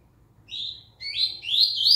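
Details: Post-moult song of a Double-collared seedeater: a short high whistled note, then a longer rising, slurred, warbling phrase climbing steadily in pitch.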